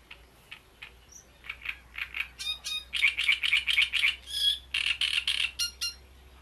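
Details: Great reed warbler at Bohdanečský rybník fishpond: soft spaced clicks lead into loud, harsh, rhythmic chattering with croaking doubled notes and a squeaky whistled phrase, about four units per second, over a faint low hum.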